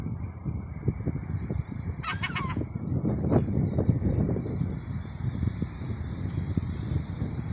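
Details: A single drawn-out, downward-sliding gull cry lasting about half a second, with strong wind rumbling throughout.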